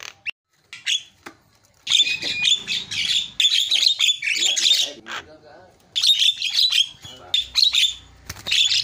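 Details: Loud, dense chatter from a Javan myna, played to coax a bird that has stopped singing: long runs of rasping, buzzy squawks broken by a few sharp single notes and brief gaps.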